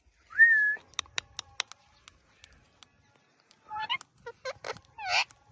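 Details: Pet rose-ringed parakeet, a talking ringneck, opening with a rising whistled note, then a series of sharp clicks, and ending with grating chattering squawks that may be mimicked speech.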